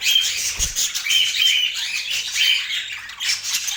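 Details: Budgerigars in Portland chattering in a busy, dense warble of high chirps and squeaky notes that overlap without pause, with a soft thump near the start.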